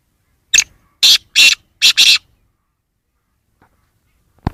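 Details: Black francolin giving a harsh call: a rhythmic series of loud, rasping notes, single then doubled, across two seconds, followed by silence and a faint click.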